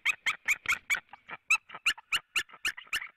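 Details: Wild white-tailed eagles at a nest in Latvia, 4 March 2017 around 16:30, calling as both birds arrive at the nest: rapid series of sharp, high yelping notes, about a dozen per three seconds, uneven spacing.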